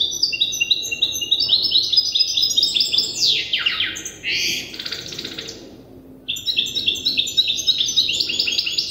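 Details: Immature European goldfinch hybrid practising the song it is still learning from an older hybrid: liquid high twitters, harsh buzzy sweeps mid-phrase, a brief pause, then renewed rapid tinkling notes.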